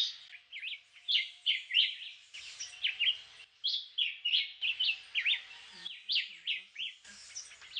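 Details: Singing Julián chiví, the black-whiskered vireo, a migratory bird that comes back to Puerto Rico every February to breed: brisk two- and three-note whistled phrases, sharply slurred up and down, repeated quickly one after another with short gaps.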